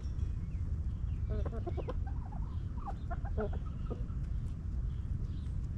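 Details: Hens clucking in a backyard coop: a loose run of short, throaty, repeated clucks, quick bursts bunched over a few seconds, over steady low rumbling noise.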